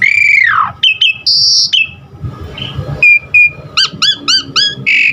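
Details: Asian pied starling song used as a training aid for caged birds: a long falling whistle, short flat whistles and a high held note, then a rapid series of sharp rising chirps.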